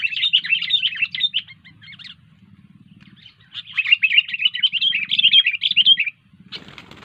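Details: Sooty-headed bulbul in energetic song, long bursts of fast chattering, bubbling notes broken by a pause, ending with a brief noisy rustle.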